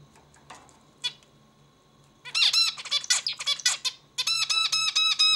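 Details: Indoor zebra finch: a few soft scattered calls, then a loud jumble of raspy buzzes followed by a neat series of repeated nasal, harmonic beeps, with a quiet background hum.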